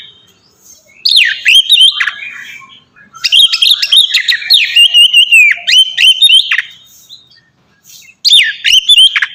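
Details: White-rumped shama ngeplong song for training captive shamas: bursts of rich whistles with sharp down-swooping notes and rapid chirps, grouped into three phrases separated by short pauses.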